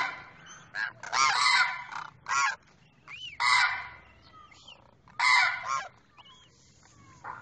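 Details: A pair of demoiselle cranes, the male calling to the female: harsh honking bursts spaced irregularly over about seven seconds, with thin rising whistled notes in the gaps between them.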